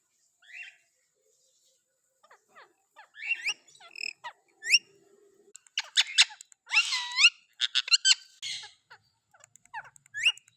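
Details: Pet green ringneck parrot making a series of short squeaky chirps and rapid chattering warbles, with one looping slurred phrase in the middle, spaced between brief silences.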